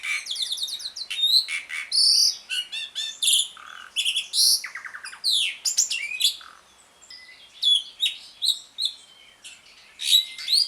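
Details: Ngriwik-style singing of an Asian pied starling, used as a lure for starlings that have stopped singing: dense chattering of rapid trills, sharp whistled slurs and harsh buzzes, pausing briefly then resuming.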